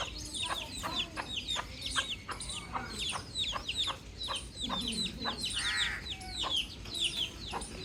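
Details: Cute baby chick peeping outdoors in a calm natural setting, giving dense bursts of shrill, downward-slurred chirps in quick succession, with a brief lower warbling sound near the end and soft background hum.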